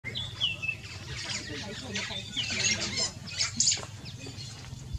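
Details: A White-browed sparrow-weaver in Kenya, where the species is very common, gives two clear, falling whistles about two seconds apart over scratchy rustling, chatter and a low background hum.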